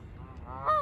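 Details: Single loud Canada goose honk at takeoff, a short harmonic, slightly rising note at the end of a brief stretch of low background rumble.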